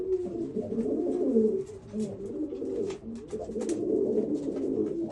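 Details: Steady low cooing from a group of Old German Owl pigeons, soft rolling notes blending together, with light tapping noises in the background.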